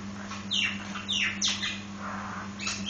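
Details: Nias hill myna giving loud, harsh squawking notes that sweep downward, three in quick succession, then a rougher call near the end, over a steady low electrical hum.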